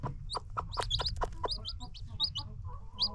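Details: New baby chicks on a free-range chicken farm give rapid, high rising peeps mixed with short, dry clucking notes from the flock, over steady low background rumble.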